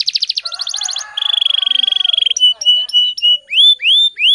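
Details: Canary in dense fast song: a pulsed roll, a long flat buzzy trill, short whistled notes, then slow rising whistles repeated about every half second.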